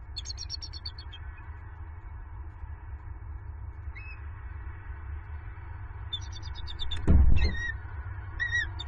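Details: Bald eagle pair at a Southwest Florida nest, 28 November 2022, vocalizing in alarm after an owl knocked the female off a branch; high thin chittering bursts separated by long pauses, a loud thump midway, low constant rumble beneath.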